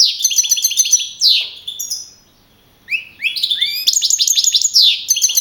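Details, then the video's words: Young male European goldfinch that won a singing contest at Navalcarnero, Spain, April 2012; rapid tinkling phrases and a swooping slur, a two-second pause, then rising notes and fast repeated twittering. "JILGUERO CAMPERO CAMPEON 2012"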